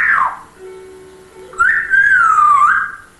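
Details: Captive grey parrot hatched in January 2000, imitating sounds; a short falling whistle, a low steady tone, then a long wavering whistle that dips and rises again.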